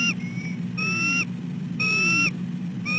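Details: At 6:34 am on 12/4/13, a nesting female bald eagle calls repeatedly at dawn for a shift change so her mate can take over incubating the egg: thin, high whistled notes, roughly one per second, over a constant low hum.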